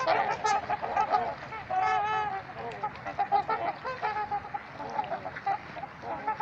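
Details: Several trumpeter swans at Gallup Park, Ann Arbor, Michigan, trading loud brassy honks in an irregular, overlapping chorus; bursts of rapid harmonic calls come and go throughout, with low background rumble underneath.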